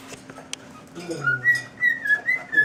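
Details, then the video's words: Pet cockatiel whistling the tune "Tequila": after a quiet start, a run of clear whistled notes, slightly wavering, over a low steady hum and a brief low voice-like sound. "cockatiel singing "Tequila""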